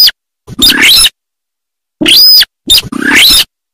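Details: Sintar sawah (watercock) calling in rice fields: harsh, rasping bursts roughly half a second long, each opening with a short clipped note, heard three times with silent gaps between.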